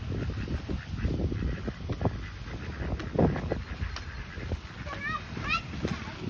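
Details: Several ducks quacking together while happily flapping their wings; harsh, nasal quacks come in irregular overlapping bursts throughout, with a few brief higher rising chirps near the end.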